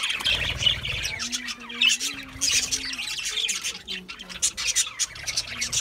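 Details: Several budgerigars feeding on seed mix chatter in bright, rasping squawks and chirps, clustered in bursts. Faint low drawn-out tones sound in the middle.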